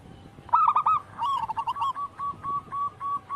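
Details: Local wild-type zebra dove singing actively, as a lure recording: after half a second of quiet, a louder cooing burst, then a steady run of short, evenly spaced mid-pitched notes repeated rapidly.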